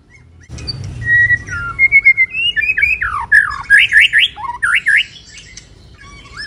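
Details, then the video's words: White-rumped shama, moulting, in kéo thuốc lào style: level whistled notes give way to rapid looping, swooping phrases repeated several times, loud and clear. "Choè lửa đang xuống lông kéo thuốc Lào phê tít"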